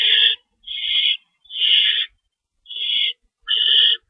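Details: Owl calling at its nest during feeding time, 3:53 AM on March 25, 2012: five loud, breathy screeches, each about half a second, coming at uneven intervals with brief silences between them.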